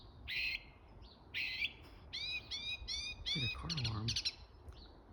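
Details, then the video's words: A bird making varied sounds: two harsh rasping notes, then a quick run of clear, harmonic, upward-sweeping whistled notes, with a lower wavering sound partway through and a steady low background hum. "Amazing Bird Making Different Sounds!"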